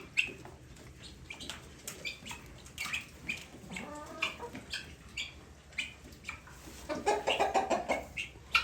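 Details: Helmeted guineafowl (Numida meleagris), separated after fighting newly bought guineafowl, give harsh, grating calls in irregular bursts, building to a rapid chattering flurry near the end, with scattered fowl clucks and rustling.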